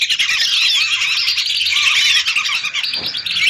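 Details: Lesser whistling ducks, hundreds of birds, in a recording meant as a lure: a constant wall of shrill whistled notes and short squeaks, many birds calling at once.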